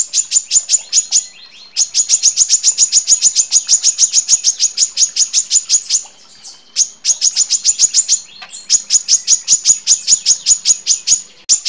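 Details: A female Brown-throated Sunbird gives long, dense runs of high, sharp chips, many per second, broken by brief pauses. The female is calling for a male, and nothing else is heard.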